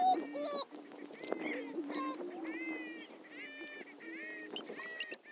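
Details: Greater prairie-chickens displaying at a historic lek on a Missouri ranch prairie: a low, steady moaning boom underlies overlapping cackling, whooping and squealing calls, with a high whistled note near the end.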